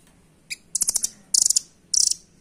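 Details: Velvet-fronted nuthatch (rambatan doraemon), a small, fast-singing bird whose voice serves as a master song for training birds: one high chip, then three rapid bursts of sharp, shrill ticking notes, each burst about a quarter second long.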